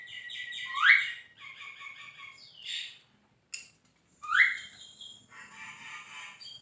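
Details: Energetic Javan myna kept as a contest-training singer, mixing harsh, buzzy chattering phrases with two abrupt rising whistled notes and a brief click.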